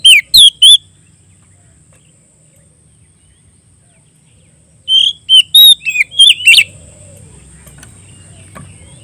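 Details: Oriental magpie-robin singing in open 'ngeplong' style to call a rival: a short burst of three high whistles, a pause of about four seconds, then a longer run of sharp, varied whistled notes.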